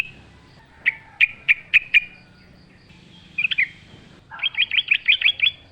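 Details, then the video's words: Yellow-vented bulbul in lively wild-style song amid nature sounds: five spaced sharp chirps, a pause, a brief double note, then a quick run of bright repeated notes. "trucuk gacor ngalas full suara alam"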